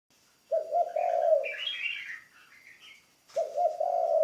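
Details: Decoy spotted dove in training cooing: a rolling, low hollow phrase, then after a pause of chirping from other small birds, a second similar coo begins, over a thin constant high-pitched hum.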